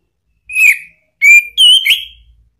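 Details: Orange-headed thrush song used to provoke a pet bird's reply: three separate clear whistled phrases, the first falling, the second steady, the third wavering then rising.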